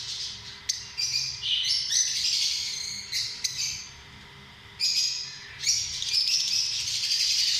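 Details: Lovebirds chattering in loud, high, scratchy squawks and chirps, several overlapping bursts separated by a brief lull, ending in a sustained harsh chatter; steady low hum in the background.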